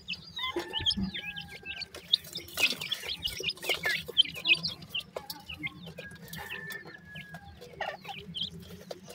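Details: Grey francolin chicks giving sweet calls: many high, thin peeps and short down-slurred chirps overlapping in a busy, irregular chorus, with a few longer level whistles and a steady low hum beneath.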